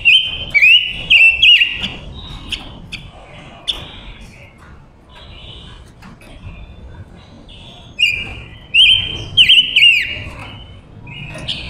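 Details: Female silver-eared mesia kept as a decoy, singing to lure wild males. Bursts of clear whistled notes with quick upslurs and downslurs in short runs, pausing between phrases over a faint rustling background.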